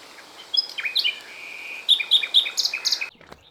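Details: A Common Nightingale, usually hidden in dense thickets but here briefly out in the open, sings a rich, varied phrase of clear whistles, sharp chips and quick repeated notes, ending abruptly after about three seconds.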